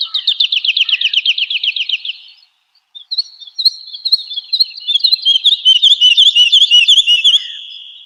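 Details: Energetic Woodlark singing for cage-bird training: a dense, rapid trill for two seconds, a brief gap, then sweet looping notes building into a fast, high, rolling phrase.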